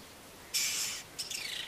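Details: A male Black-bellied Starling singing its usual song with mimicry of Brown-hooded Kingfisher and Fork-tailed Drongo. Two harsh, hissy high bursts: a half-second rasp, a brief pause, then a shorter wavering buzzy note.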